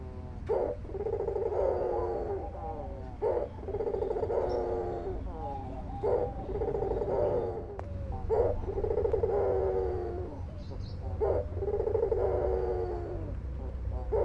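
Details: Albino white dove calling often: low, harmonic coos repeated about every three seconds, each a sharp stressed note followed by a drawn-out rolling purr, with steady low background hum.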